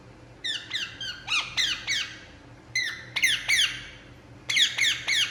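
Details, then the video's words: Relaxed Indian ringneck parakeet giving harsh squawks in three separate bursts of several falling notes each, with quiet gaps between, indoors. "Indian Ringneck Parakeet Relaxing And Making Sound"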